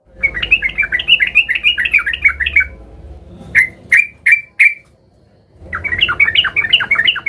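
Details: Yellow-vented bulbul in a rival-seeking mood, singing quick bubbling warbled phrases of up-and-down notes, interrupted by four sharp loud calls before the warbling resumes, with faint low background noise.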